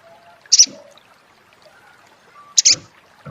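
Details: Sunbird, locally sogon or sogok ontong, giving two short, sharp, high double chips about two seconds apart against a quiet background.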